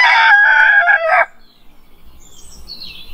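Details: Rooster giving a morning crow: a loud, harsh, harmonic call of just over one second with a steady held tone, followed by faint high chirps from another bird.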